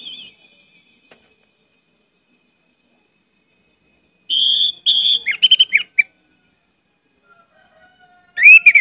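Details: Orange-headed thrush lure song: after a long quiet stretch, a sustained high whistle gives way to rapid scratchy chirps, with another loud whistled phrase beginning at the end.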